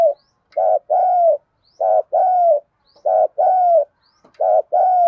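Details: Female spotted dove used as a decoy, calling to lure and provoke males: paired two-note coos, a short note then a longer falling one near mid pitch, repeated about every 1.2 seconds, no other sounds.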